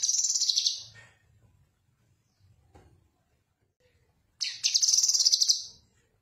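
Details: Characteristic Cucak kinoi song used as a tutor recording for songbirds: a shrill, buzzy, rapidly pulsed trill, then about three and a half seconds of near quiet before a longer, louder chattering burst.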